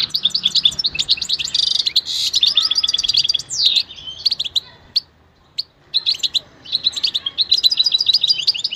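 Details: Goldfinch in full song: dense, high tinkling twitters and a harsh buzzy burst, then a near-silent pause before the chattering phrases resume.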